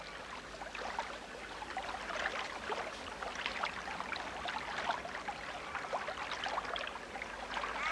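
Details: Running water from a stream trickles and splashes steadily, with no animal voices heard.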